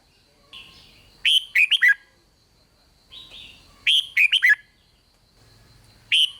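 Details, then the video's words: A red-whiskered bulbul gives rik song to rouse other bulbuls. Two full phrases of a soft lead-in note, then fast bubbly slurred notes, come about three seconds apart, and a third phrase begins at the end. "เสียงนกกรงหัวจุก ร้อง ริก ยั้วให้นกคึกดีมาก"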